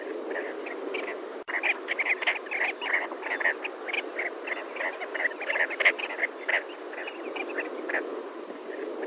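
A flock of sandgrouse gives a dense chatter of short, bubbling notes, many birds overlapping several times a second, over a low background rumble.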